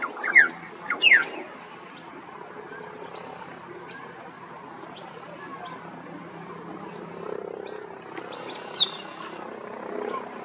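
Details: Male Australasian figbird (Sphecotheres vieilloti), Queensland, singing in the afternoon: two loud, sweeping, slurred notes in the first second, then a single short note later, over a steady background hiss.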